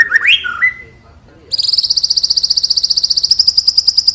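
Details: White-rumped shama song, played to stimulate other shamas to sing. A few rising and falling whistled notes are followed by a long, fast, high-pitched trill of evenly repeated notes, about eight per second.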